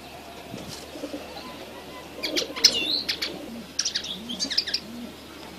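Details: Fledgling red siskin gives two lively bursts of rapid, high-pitched twittering, the second more broken and chattery, while faint low cooing sounds underneath.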